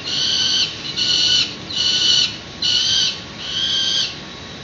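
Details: Peregrine falcon nestlings near fledging on a city nest ledge in San Francisco, early morning, 1 May 2019, via live webcam: five harsh, rasping screeches, each about half a second long, repeated roughly once a second.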